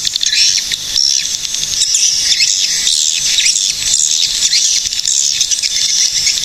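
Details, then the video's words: A continuous high, hissing twitter of many swiftlets in Cilacap, Central Java, Indonesia, thin buzzy trills and scattered chirps blending into a steady dense wash of sound. "SUARA BURUNG PANGGILAN WALET GACOR"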